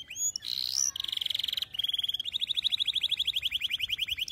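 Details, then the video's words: Canary song used for training young canaries to sing: bright high trills in quick succession, a buzzy rolled phrase, then a long run of rapid repeated chirps descending slightly in pitch. "كناري مرعب غناء تحفيز غير طبيعي"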